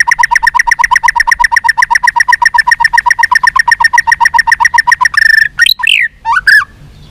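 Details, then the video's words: White-rumped shama long fighting-provoking song: a rapid steady series of low pulsed notes about four per second, followed by sharp rising whistled notes. "chòe lửa kéo dây dài cực phê. đập tạch đuôi kích đấu. chòe lửa hót giọng dài kích lửa"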